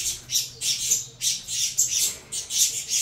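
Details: Young captive saffron finches from a Venezuela CMA x CVK 103 cross call for food, producing loud, broad, breathy high-pitched squawks in clusters with short gaps.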